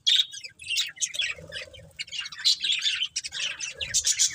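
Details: Colourful budgies, a breeding pair in a family group, chirp and warble in choppy high bursts, some notes clear and whistled, with a few softer lower squeaks between them.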